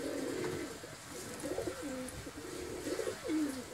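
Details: Domestic pigeons kept at home for the hobby, a low cooing bird repeating soft rolling phrases, each ending in a falling drawn-out note, in a quiet setting.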